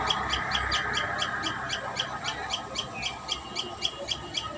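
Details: High, sharp notes from a common tailorbird at its nest come in a fast steady series, about three per second, over a faint broadband hiss.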